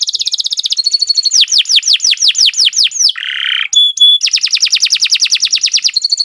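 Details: Canary song for training caged birds, mixing rapid trills with arched whistled sweeps repeated quickly, a short harsh buzzy phrase and a brief pure high tone before the trilling resumes.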